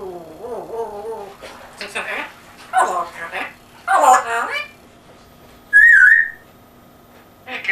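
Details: English-accented African grey talking in a small room: a run of wavering, speech-like syllables, then a sharp, bright whistle with a quick wobble, followed by more chatter.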